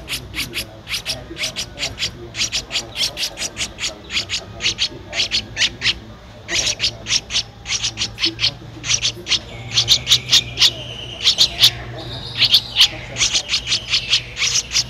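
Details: A Streak-eared Bulbul nestling, 13 days old, in Ubon Ratchathani, Thailand, on 15 April 2023, keeps up dense series of high, sharp squeaks in bursts, later joined by a thin, drawn-out whistle.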